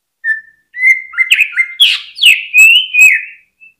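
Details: Greater green leafbird song used to rouse other birds at the hanging cage; level and stepped whistles build into loud, harsher downswept notes and a long wavering whistle, then a faint last note.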